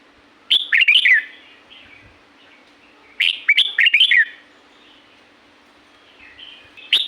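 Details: Red-whiskered bulbul from the La-u forest in Thailand, natural setting: short bright warbled phrases, whistled and slurred notes rising and falling, delivered in bursts about every three seconds with softer chatter between and a steady low hum.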